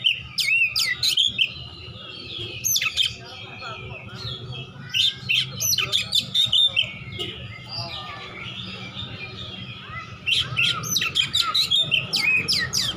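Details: Oriental magpie-robin, a fighter bird looking for an opponent, in ngeplong-style song: rapid clusters of shrill whistles and harsh chips, with a quieter stretch midway before a renewed loud burst.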